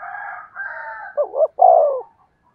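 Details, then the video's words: Decoy spotted dove coo, played to provoke wild doves. A higher, wavering call from another bird comes first, then one phrase of a doubled hoot and a long, falling coo. "tiếng cu mồi thúc bổi"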